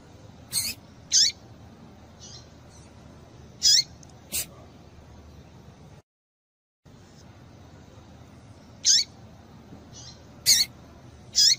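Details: Female double-collared seedeater (papa-capim) call, played to excite and set males singing: short, very high, thin chirps, some paired, spaced irregularly one to three seconds apart over a quiet background, with a brief silent break midway.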